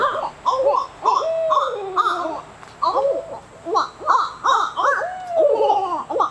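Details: Young barred owls practising their calls: a lively, overlapping chorus of rising and falling hoots and cackling, laugh-like notes in bursts, with long slurred wails between, sounding like several birds together.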